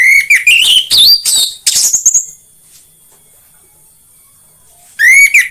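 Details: Lure song of an orange-headed thrush, meant to make other orange-headed thrushes sing: a fast tumble of varied whistles and rising chirps climbing higher, a pause, then another loud whistled phrase.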